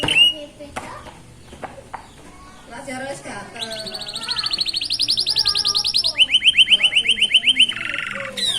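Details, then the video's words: Young canary chicks, beginning to dare to sing beside a roadside, in a rhythm described as unique; after scattered chirps and background sounds, fast high rolling trills build up, then a lower, evenly pulsed trill runs to the end. "صوت فراخ الكناري يغني بإيقاع فريد من نوعه"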